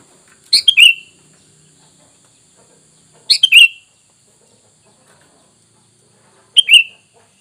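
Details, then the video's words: Sooty-headed bulbul lure call for drawing wild birds to respond: three short, bubbly two-to-three-note phrases spaced roughly three seconds apart, each ending in a slurred whistle, with quiet gaps between. "Dengan Surara ini kutilang bahan Langsung nyaut"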